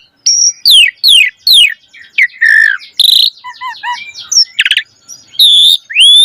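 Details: Javan pied starling's varied, vigorous song, used to train young starlings: sharp falling whistles, a buzzy rasp, soft bubbling warbles, a short rattle, then loud harsh notes and an upswept whistle.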